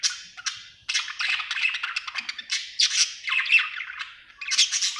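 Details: Budgerigar described as happy giving dense, harsh squawky chirps and rasping warble in a continuous stream with brief breaks.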